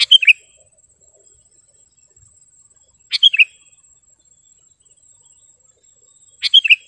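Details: Sharp, clear singing of a sooty-headed bulbul, used to tutor caged birds and draw wild birds closer: three short liquid whistled phrases spaced roughly three seconds apart, with a faint constant high hiss.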